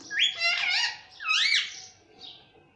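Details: Pet ringneck parrot, a talking bird said to say "mummy": two short, rich nasal utterances with rising and falling pitch, like a spoken word, then a fading softer note.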